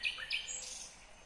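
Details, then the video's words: Nightingale singing in Kyrgyzstan, 2020: two sharp, loud whistled notes in quick succession, a short lower slurred note, then a thin high sweeping phrase fading out over a quiet background. "Незабываемое Пение соловья / Chill out Nightingale Singing / Булбул уну / Булбул овози"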